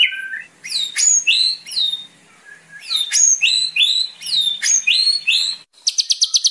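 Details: White-rumped shama (murai batu) training song for untrained birds, with clear falling and rising whistled phrases repeated in groups, ending in a short fast high trill.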